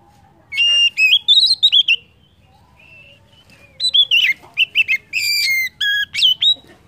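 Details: Oriental magpie-robin (kacer) song, played as a lure to stimulate other birds to sing: two bursts of loud, clear whistled notes, some rising and some slurred, separated by a quiet pause, over a faint low hum.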